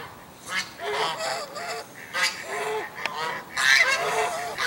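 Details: A gaggle of greylag geese filmed in Vineland on 22 December 2020, honking and flapping wings; overlapping nasal honks come in several bursts, some stacked and harsh, with brief wing-flap noise between them.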